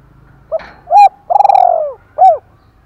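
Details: Spotted dove kept as a decoy, 'thổ pha' voice style, fighting call. The phrase runs: a faint note, a strong arched coo, a long buzzy coo with pulsing texture dropping in pitch, and one final rounded coo.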